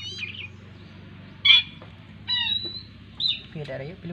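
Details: Captive young black-winged kite hand-fed squirrel meat; a few shrill, slurred whistling squeals with rising and falling pitch, separated by short pauses, over low background hum and a brief human voice at the end.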